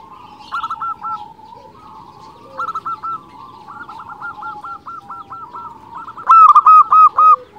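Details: Local zebra dove singing steadily, used as a lure for other zebra doves: soft rolling coos break into a fast run of short even notes near the end, with fainter doves cooing behind.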